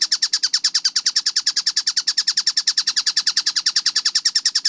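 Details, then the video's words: Kingfisher, known locally as tengkek buto, in a clear, fast-paced recording: a steady, very rapid run of sharp, high, harsh 'kek' notes, about eight per second, evenly spaced throughout, with a faint low background hum. "MASTERAN TENGKEK BUTO GACOR SUARA JERNIH SPEED RAPAT"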